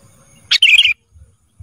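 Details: Kutilang emas used as a training song for cage birds: one brief phrase, a sharp burst followed by a quick run of rich, warbled whistled notes, lasting under half a second in a quiet setting.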